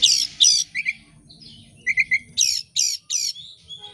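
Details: Oriental magpie-robin (kacer) used as a lure to make birds sing: harsh, broad squawking notes in pairs and a trio, between quick softer chirps, all in about four seconds.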